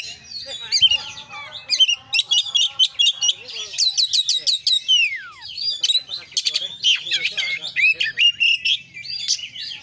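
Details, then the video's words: Oriental magpie-robin in 'konslet full isian' song, singing actively. A dense, rapid medley of sharp chirps, rattling clicks and sweeping whistles includes one long falling whistle, with phrases pouring out almost without pause. "kacer gacor KONSLET full isian"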